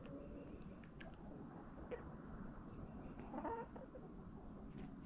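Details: Backyard chickens eating pumpkin in autumn: mostly pecking and low rustle with a few soft clucks, and a brief louder tonal call midway.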